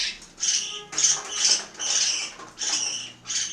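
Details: Feeding-time squawks of household parakeets in Itaim Paulista, São Paulo, Brazil: about seven harsh, broad calls roughly every half second, with faint tonal background sound.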